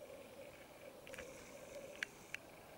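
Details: Male Black Grouse at an autumn lek in Finland: a steady, low bubbling murmur runs throughout, with a brief hissing burst and two sharp clicks against faint background noise.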